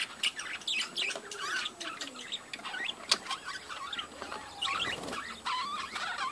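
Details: Budgerigars in a breeding colony twitter and warble softly, with wavy squeaky notes and short chirps from several birds over a faint background hum.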